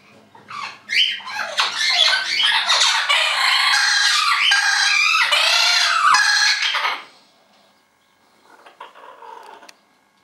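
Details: Two orange-winged amazons, kept as pets and noisy in spring, burst into loud continuous harsh squawking and screeching for about six seconds, then fall quiet before a softer chattering call.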